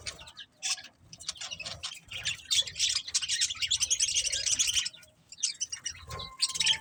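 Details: Pet budgies in chattering song, a dense run of fast high chirps and warbles that rises to a steady stream in the middle, then breaks off before a final burst.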